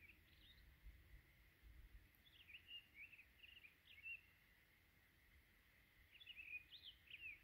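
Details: Townsend's solitaire perched at the top of a dead tree in winter, singing to tell other solitaires that this juniper-berry patch is its territory; sweet warbled phrases in bursts, a pause in the middle, then more fluting notes.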